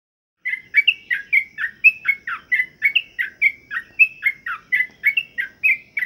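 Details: Sooty-headed bulbul (trucukan) during pengembunan, morning dew-exposure care meant to make it sing often: bubbly, liquid two-part phrases falling and rising, repeated over two per second without pause after a short silent start.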